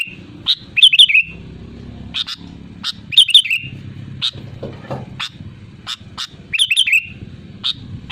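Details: Sooty-headed bulbul, original recording of loud energetic song meant to lure other bulbuls into singing: short bright bubbling phrases of a few slurred whistled notes recur about every two to three seconds, with single sharp chirps between and a low rumbling background.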